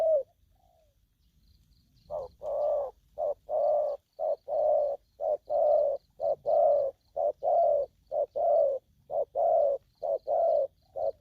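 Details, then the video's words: Spotted dove in aggressive calling: after a quiet opening of about two seconds, a long run of rapid, evenly spaced low coos, a faint high tone in the background. "Bổi thổ tơ hung hăng"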